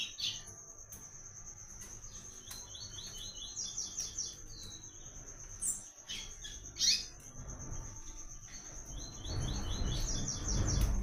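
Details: White-collared seedeater singing the "Tui Tui" pattern for song training: a thin continuous high trill with short series of repeated slurred notes, amid background noise and a rising rushing sound near the end.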